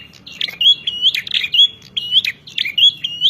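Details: Bar-winged prinia singing aggressively at rivals: quick repeated buzzy notes each capped by a thin upward whistle, phrases following one another about every half second.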